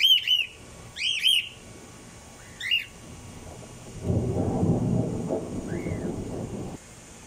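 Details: Cockatiels in an outdoor aviary during a thunderstorm on a warm spring day, bathing in the rain, give bright, arching whistled calls in short bursts, then a long roll of thunder rumbles.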